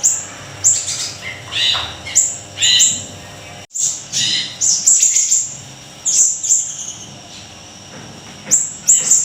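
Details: Siri-siri kecil singing actively for songbird tutoring: clusters of thin high chirps and short rich trills, broken by a brief silent gap, then more bursts of piercing notes.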